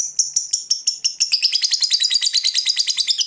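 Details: Fighter-class lovebird in long ngekek song, which sets rival birds singing: spaced sharp chirps that speed up into a dense, steady, rapidly pulsed high chatter.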